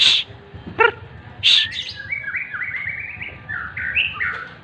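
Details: White-rumped shama during morning sunning: after two shushes and a harsh note, a lively stream of stepped, slurred whistles and chirps climbs and falls.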